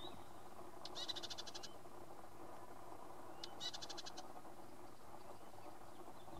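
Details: Male Red-capped robin at Limbri giving two short, dry, high rattling trills of rapid clicks, about three seconds apart, over a steady low rumble of background noise.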